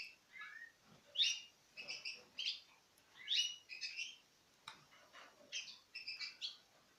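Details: Citril finch pairs taking food from the hand, recorded in 2016; clear high chirps in quick groups of two or three, spaced by short silences.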